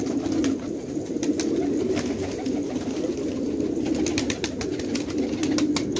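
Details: Fighting tumbler pigeons in Khanabad, Afghanistan, a village flock producing a dense, low, rolling coo chorus throughout, punctuated by light tapping and clicks.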